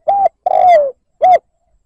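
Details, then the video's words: Spotted dove lure coo in the 'liêu lỡ' style, used to provoke wild doves: one three-note phrase, a short level coo, a long hoarse coo sliding downward, then a short arched coo. Quiet background. "Tiếng mồi cu gáy liêu lỡ gáy gù kích bổi"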